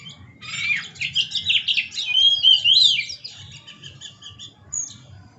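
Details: An Oriental magpie-robin in full song while dancing: twittering notes swell into loud, clear whistles with sliding, rising phrases, then fade back to soft scattered chirps and a final high note.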